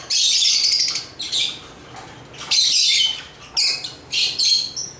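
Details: African lovebirds (Agapornis) produce about five separate squawky, high chirping bursts, each under a second, with quieter gaps between them.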